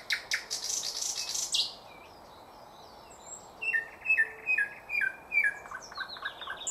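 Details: Thrush nightingale in 2024: an opening burst of loud, broad rattling notes, a pause, then a string of clear descending whistled phrases repeated in quick succession.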